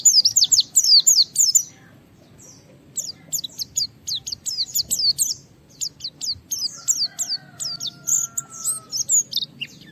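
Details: Japanese white-eye in vigorous song to challenge rivals and make other white-eyes sing: fast series of high descending whistled notes in bursts separated by brief pauses, a low faint hum under them.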